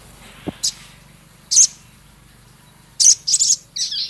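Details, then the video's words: Male Javan cochoa singing with rough chatter: spaced sharp very high chips, then a quick cluster of harsh notes and a short scratchy trill, with a low thump early on. "Burung Sogon Jantan gacor isian full Sepah raja ketikan crecet kasar"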